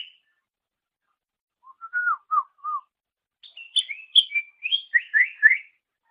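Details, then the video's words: Master recording of greater green leafbird song for training songbirds, with a few soft slurred whistles followed by a quick run of varied chirps and downslurred notes, on a quiet background. "Ocehan Suara Burung Cucak Ijo"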